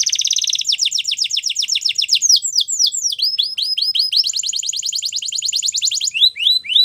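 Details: Continuous canary training song made of chained rapid trills: a fast rolling phrase, a series of descending sweeps, a quick repeated tour, then rising whistled notes at the close.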